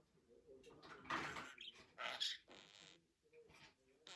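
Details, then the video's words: Budgerigar making harsh, breathy speech-like bursts in two loud phrases, with softer clicks and chirps between them. "MUHABBET KUŞU | DİNLET KONUŞSUN"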